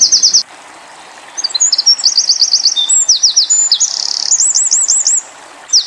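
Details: Tembakan-style Eurasian wren song for pleci tutoring: a short high trill, a pause, then a long phrase of mixed rapid trills, downslurred notes and a run of looping rolled notes before another pause.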